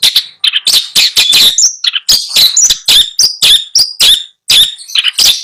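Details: Dense, loud song from a caged long-tailed shrike in Bondowoso, Indonesia, mixing scratchy chatter with clear whistled notes and sliding phrases in a rapid, almost unbroken stream.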